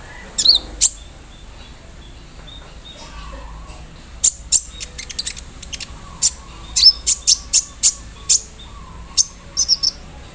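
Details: Olive-backed sunbird (konin) aired in the morning dew, singing an 'embroidery machine' filler style with 'cerrr' sounds: bursts of very high, thin, sharp chirps and clicks in irregular clusters across ten seconds, with pauses between.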